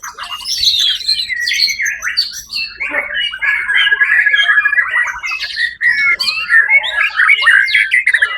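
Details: White-rumped shama singing at a songbird competition, the Suara Agung event of 1 October 2023, where it took first place: a dense, rapid stream of varied whistles, chattering notes and squawky phrases, mostly mid to high pitched.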